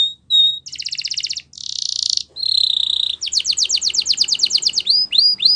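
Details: Training song of a canary: short whistles, then a succession of fast buzzy trills and rolls, a long rapid pulsed tour and arching whistled notes at the end.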